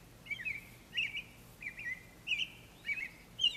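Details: Early morning spring birdsong with snow still lying about; high chirped phrases, each a quick upward-flicking note, repeat about twice a second over a faint low hum.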